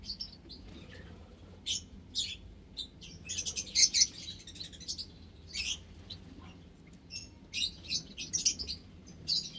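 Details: Mixed aviary of white Java sparrows and munias, ten Java sparrows in one cage with nestboxes, March 21, 2021; irregular high chips and tweets, loudest in clustered bursts, with quiet gaps between.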